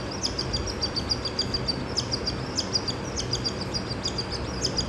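A cockatiel chick gives rapid, high, rasping chirps as it begs while being fed.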